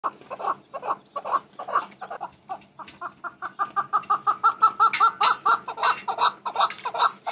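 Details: Male red-billed partridge hatched and raised by its keeper, giving a steady run of short clucking notes, roughly two to three per second, growing louder and harsher toward the end over a faint low hum.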